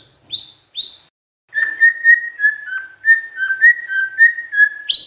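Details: Magpie-robin song meant to provoke other magpie-robins into answering: a few high whistled notes near the start, a pause, then a string of clear whistled phrases hovering around one pitch with brief rising and falling slurs.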